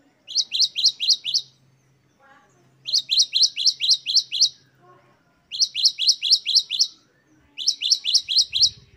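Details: Great tit (Parus major), song.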